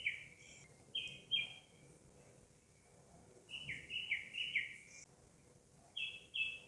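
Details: Citrine wagtail of Nubra Valley, Ladakh, India, chirping: short clusters of high, buzzy chirps, pairs then a longer run of five notes stepping down, then another pair, with low background hiss.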